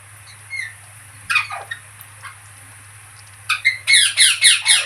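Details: Parrot vocalising: soft squeaks and a falling squawk, then a rapid burst of sharp, repeated squawks near the end, with a low hum throughout.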